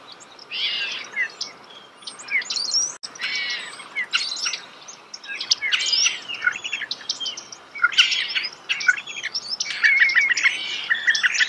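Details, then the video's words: Starling singing nearby outdoors, a long rambling string of squeaky, slurred and chattering phrases with varied rhythm over steady background hiss. "The song of the starling"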